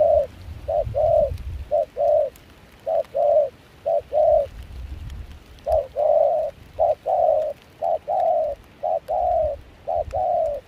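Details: Wild-caught spotted dove with a mixed foreign-style voice, serving as a trapping decoy in Kon Tum during cold, rainy, windy weather, repeats soft two-note coos steadily for ten seconds; low wind noise in places.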